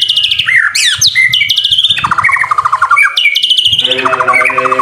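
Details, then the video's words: Energetic white-rumped shama (murai batu) song, recorded for master training: loud rising whistles and sharp zipping sweeps, then rolling rattled trills and buzzy chatters, delivered in a dense, nonstop stream. "MASTERAN MURAI BATU GACOR SUPER JITU"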